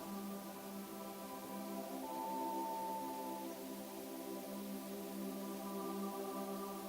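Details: Sustained ambient music with droning, bowl-like tones and steady harmonic layers; no animal voice is heard.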